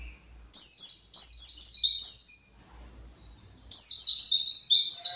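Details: Emotional pet white-eye calling for its lost flock: three quick runs of piercing, downward-sliding chirps in close succession, a short silence, then a fourth run.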